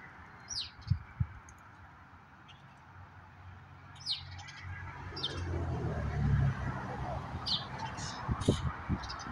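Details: Common grackles raiding a hidden walnut stash in a neighborhood yard, filmed by a bird cam. Brief sharp chip-like calls sound in scattered pairs and singles, with low thuds and rising rumbling background noise in the second half.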